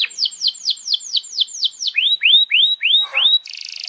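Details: Canary in breeding excitement giving cuit-cuit notes for training young canaries: a run of sharp descending sweeps, then several rising whistled slurs, ending in a brief buzzy trill.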